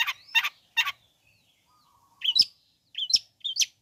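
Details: Long-tailed shrike, a bird kept to provoke other shrikes into calling, giving three harsh broadband rasping notes, a pause with a faint thin whistle, then bursts of sharp high chattering notes.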